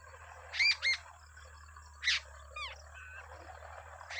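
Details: Wild babbler feeding two chicks; paired loud arched chirps, then a lone burst and a falling series of thin squeaks, over low steady hum.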